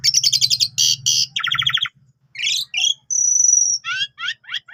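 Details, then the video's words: Javan pied starling in full song, used as a tutor for canaries: fast trilled chatter and buzzy rattles, then a long steady high whistle and a few sharp upswept notes, over a faint low hum. "Jalak Suren Tio Gacor Isian Full Cocok Buat Masteran Burung Kenari"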